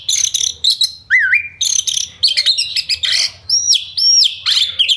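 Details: Oriental magpie-robin singing fast to stir other birds into fighting mood: chattering chips, a looping wavering whistle, and repeated paired looping whistles near the end, all high-pitched over a faint hum.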